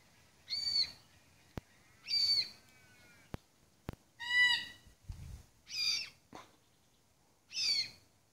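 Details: Red-tailed black cockatoo calling: six harsh, grating, rasping calls with rich harmonics, spaced one to two seconds apart, with a few sharp clicks between them against a quiet background.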